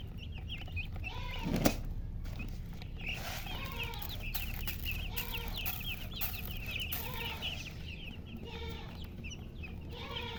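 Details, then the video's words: Murgi hen with coloured chickens: a stream of rapid high peeps, several lower arched calls at intervals, and a single loud thump early on, over persistent low background rumble. "silly chicken chirping sounds with murgi hen color chicken"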